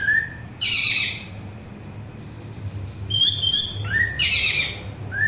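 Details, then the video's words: Orange-headed thrush singing, recorded as a soothing lure for birds: a short rising whistle, then dense warbled high phrases, a pause, more rippling notes and another upslurred whistle at the close, with soft hum behind. "Suara Anis Merah"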